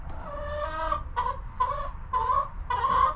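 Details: Homestead coop hens giving drawn-out, nasal clucks, about four in three seconds, each a tonal squawk that rises slightly, with a low steady background hum.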